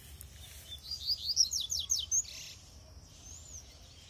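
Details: Three-moult double-collared seedeater kept on brachiaria seed sings a fast series of high chirps, then sharp downslurred notes, a brief buzz and a final thin whistle, over quiet low background noise.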